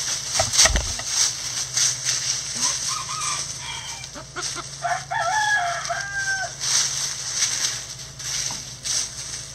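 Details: Backyard coop chickens scratching down a pile of leaves, giving soft drawn-out clucks and rising calls mid-clip over steady hiss, with a sharp knock near the start.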